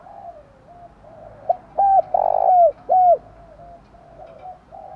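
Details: A spotted dove gives soft, low hooting coos, a quick pair then a longer drawn-out coo and a final note, over faint hum: a cooing call used to stimulate wild and decoy doves to call.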